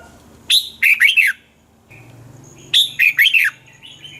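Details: Red-whiskered bulbul song, a recording meant for playing to excite caged bulbuls: two bright, rich phrases about two seconds apart, each a quick run of four or five warbled, slurred notes ending in a falling note. The background is quiet.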